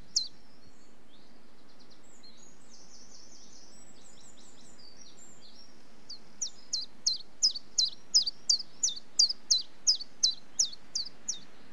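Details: Common chiffchaff: after faint, thin twittering from another bird, the song begins as an evenly paced string of bright, high, bouncing two-pitch notes, roughly three per second, over a quiet low hum.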